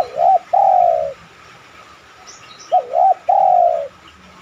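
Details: Lure recording of a spotted dove meant to draw replies from other doves. Two cooing phrases, each a quick wavering double note followed by a drawn-out descending coo, separated by about two seconds of quiet.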